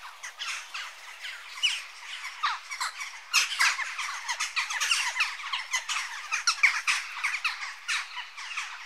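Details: Noisy chatter of Western jackdaws, many short scratchy squawks and squeaks piling over one another, louder and busier after the first few seconds.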